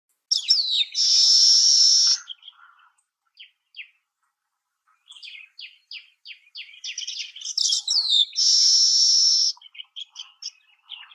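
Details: Baya weaver singing: a scratchy opening flourish leads into a long, even, hissing buzz lasting about a second. Quick chattering notes follow, then the phrase repeats, again closing on a drawn-out wheezy buzz.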